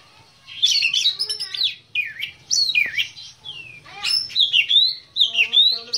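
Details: Caged Oriental magpie-robin of the black-breasted form delivering rich whistled song, with dipping V-shaped notes, rapid rising slurs and clear chirps in quick bursts.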